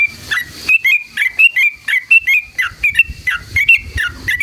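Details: Yellow-vented bulbul in full wild-style song with long rapid phrases, used as a lure to provoke other bulbuls: clear, bubbly slurred notes in quick, evenly spaced bursts, about two per second, on a quiet background.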